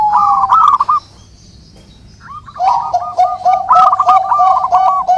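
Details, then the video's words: Zebra dove song used for training and luring doves; a short trilled burst, a quiet gap, then a longer run of quick rolling coo notes in a steady trill. "SUARA Mp3 Burung Perkutut terbaru melatih, memikat perkutut"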